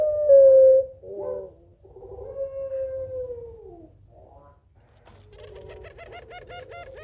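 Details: Puter Pelung Barbary dove exchanging calls with a rival. A short, clear coo and a drawn, gently falling note. These give way to a quieter, rapidly pulsing, trilling sound near the end.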